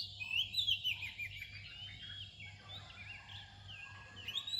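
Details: Oriental magpie-robin song near dawn opens with a bright burst of high, sweet whistles, then continues as softer, twisting warbled notes. A low steady hum runs underneath.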